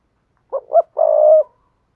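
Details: Decoy spotted dove song played to stimulate wild doves: two brief muffled hoots and a long, steady coo fading at the end, free of background noise.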